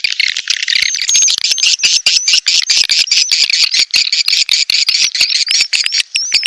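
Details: Edible-nest swiftlets in a mating lure call meant to pull swiftlets into a nest house. Rapid, steady high twittering pulses about two to three per second, with faint thin whistles riding on top.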